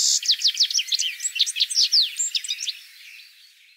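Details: Citril finch giving a brisk, high, tinkling twitter of quick slurred notes for under three seconds, then fading to a faint buzzy trail.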